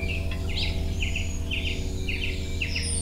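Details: Allen's hummingbird mother spending time with her 12- and 14-day-old chicks; short doubled chip notes repeat about every half second over a steady low hum.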